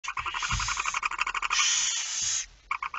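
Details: Barn owl at the nest during night feeding, 10 September 2019 at 22:45: rapid stuttering bursts of harsh hissing, a long rasping hiss from about 1.5 to 2.4 seconds, then more short pulsed hisses; faint low thumps beneath.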